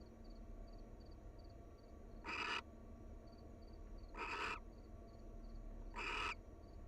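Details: Three harsh hissing screeches, about two seconds apart, from a wild barn owl pair nuzzling at their nest; a soft high pulsing sound is heard before the calls begin.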